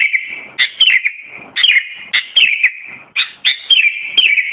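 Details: Sooty-headed bulbul song: short liquid phrases repeated roughly once a second, each opening with a sharp rising note and sliding down into a bubbling warble, steady and clean.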